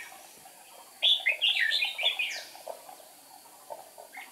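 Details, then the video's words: Red-whiskered bulbul decoy singing during a trapping session to provoke wild rivals, recorded 8 April 2019; a short burst of bright, warbled phrases lasting about a second and a half, then quiet background with faint chirps. "Bẫy chào mào Siêu phẩm búng cánh - đánh đuôi tít mù"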